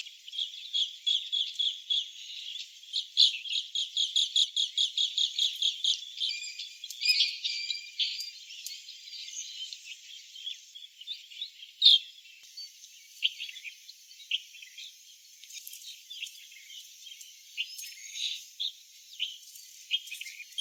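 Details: Asian green bee-eaters giving high chirping calls: a rapid series of evenly spaced chirped notes for several seconds, followed by scattered softer tweets and short trills.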